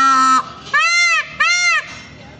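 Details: A wild peacock gives a mating call in the monsoon: three loud, nasal, trumpeting wails in quick succession, the first short and flat, the last two arching up and falling away.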